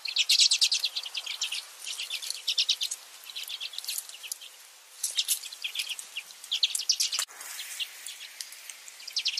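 Newly hatched redpoll chicks give a dense, steady chorus of thin, high cheeps in quick bursts, with a sharp click partway through.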